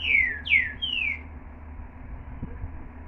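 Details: Green-winged saltator singing a short phrase of three bright, down-slurred whistles in about one second, followed by quiet background hum.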